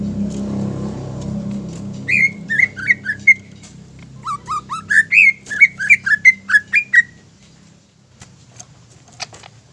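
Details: Captive greater green leafbird song meant to stir other birds to sing: after a quiet start with low rumble, a run of about fifteen loud slurred whistles comes quickly, then fades to silence.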